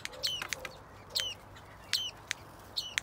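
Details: Female black-breasted thrush (Turdus dissimilis) attacking while defending her nest in an outdoor aviary gives four sharp, clicking calls about every 0.8 seconds, each with a short downward-sliding whistle; faint background noise.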